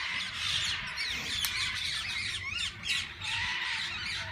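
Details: Mixed parakeets crowd a walk-in parrot-zoo aviary where people feed and handle them; a thick wall of screechy squawks and twittering fills the air without break.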